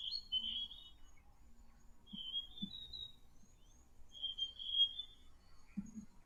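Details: Male Forest Robin, a West African forest bird, played back as an example of calling that attracts another male or defends territory: clear whistled phrases, each slurring up and down, given three times with pauses, over faint low hum and soft clicks.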